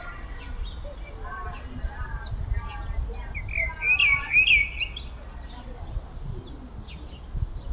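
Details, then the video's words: Common blackbird singing in the courtyard of a Brezhnev-era apartment block in Kupchino: low, fluted warbling phrases, then a high, squeaky twittering flourish, over steady low urban background rumble. "Чёрный дрозд поёт во дворе брежневки в Купчино"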